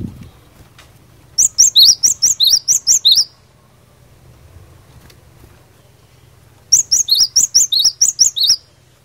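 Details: Two bursts of fighter-style cinereous tit song meant to provoke other tits into answering, each a fast series of about eight to ten piercing high notes mixed with rising slurs, separated by several seconds of silence.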